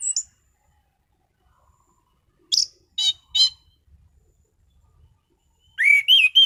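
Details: Orange-headed thrush song: a high thin whistle, scattered sharp clicking notes, then a rapid rolling run of clear whistled notes at the end.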